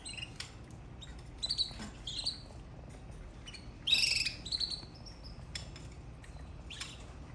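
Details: Canary singing, with scattered high chirps building to a louder burst of trilled, whistled notes partway through, then softer sparse notes again.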